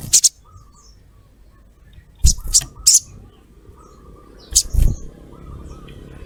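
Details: Female crimson sunbird calling to a male, used as a lure: a few high, sharp chirps in pairs and singles, with faint low knocks between.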